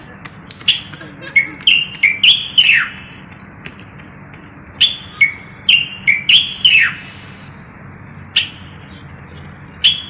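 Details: Common bulbul from Morocco giving short, bright whistled phrases of four or five quick notes, each finishing with a falling slur, sung in two bursts with pauses between and a steady faint hum behind.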